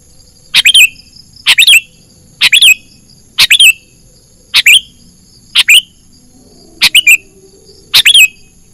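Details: Sooty-headed bulbul lure call used to attract and trap wild birds: loud, sharp triple-note chirps, high and slightly falling, repeated about once a second over a quiet background with faint low hum.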